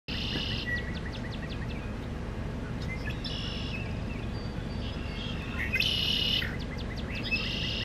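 Red-winged blackbirds give harsh, buzzy bursts every couple of seconds, with a thin whistled note mixed in, over a steady low rumble of wind or distant traffic.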